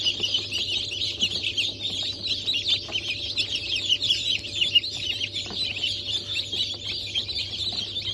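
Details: Newly hatched chicks of Sussex, Sultan, Turken and Australorp breeds, hatched on 8 March 2024: a dense, continuous chorus of many high peeps overlapping, over a steady low machine hum.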